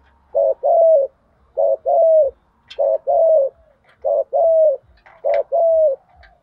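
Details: Spotted dove used as a decoy, calling to attract wild birds during training; steady two-part coo phrases, a short note then a longer falling one, repeated about every second, with faint clicks behind.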